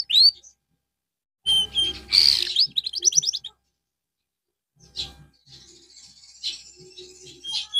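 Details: Canary recorded as therapy after losing its singing form, giving a brief whistled note, then a dense burst of trills and bright rising chirps lasting about two seconds, followed by fainter, scratchy twittering.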